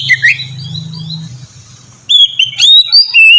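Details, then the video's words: Oriental magpie-robin ngeplong song, a lure to make untrained magpie-robins sing; a brief whistle, a quiet pause over low hum, then loud clear whistled notes and rising slurs. "suara burung kacer ngeplong merdu sangat ampuh buat pancingan kacer bahan bikin cepat gacor"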